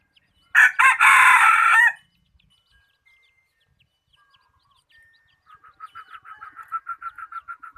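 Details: ['Chicken kept as a decoy for catching birds, noted for a good voice, gives a loud ragged crow of about a second and a half, then quiet, then a steady series of rapid rhythmic clucks.']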